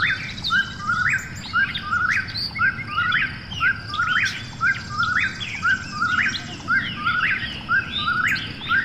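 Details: A nighttime Eastern whip-poor-will calls in a steady rhythm, each loud upward-sweeping whistled phrase about a second apart, over faint high chirps and a continuous low drone.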